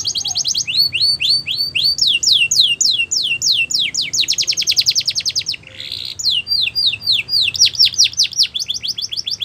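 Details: Training song of a Border canary meant for young birds: long runs of quick repeated sweeping notes, a buzzy trill, a brief harsh note midway, then more rapid rolling phrases.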